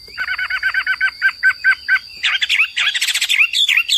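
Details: Hwamei repeating a short whistled note about ten times in even rhythm, then breaking into a faster, harsher jumble of notes, with a steady high electronic tone in the background.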